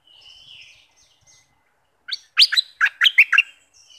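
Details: Bulbul of southern Thailand, recorded to stir birds before trapping: a faint drawn-out whistle, then a tumbling burst of bright warbled notes.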